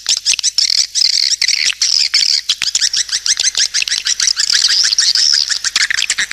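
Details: Swiftlets heard in a lure call, thin high twittering chirps running continuously in pulsing bursts, with frequent sharp clicks and brief drops in loudness.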